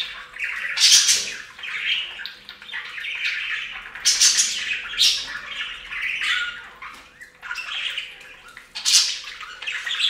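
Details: Budgerigars bathing in a fountain chatter in bright, scratchy bursts of warbles and squawks over running water.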